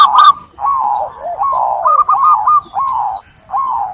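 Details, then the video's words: Zebra dove lure song for stressed, silent doves: a brief clicking burst, then a long series of warbling, wavering coos rising and falling around a steady pitch. "Perkutut stres dari ombyokan, dijamin pulih dengan terapi ini"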